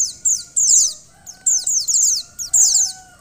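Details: Female mountain white-eye whose calls are meant to excite the male: three clusters of quick, sharp, high-pitched descending tweets in about three seconds, over a faint low hum and thin tonal lines.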